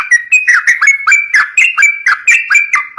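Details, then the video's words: Lively yellow-vented bulbul singing meant for coaxing young birds: quick, rolling whistled notes that dip and rise, tumbling out steadily with no pauses. "COCOK BUAT PANCING BURUNG TRUCUK MUDA"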